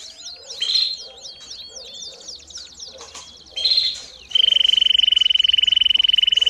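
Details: Canary singing for training young birds: repeated quick downward whistled sweeps and short accented notes, then a loud, even rolling trill on a single high pitch for the final two seconds.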